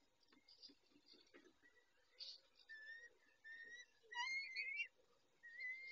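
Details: Male peregrine falcon attending the females at the nest, 19:40 on 23-05-21: scattered faint notes build into clearer flat whistles and a wavering, warbled whistle near the end.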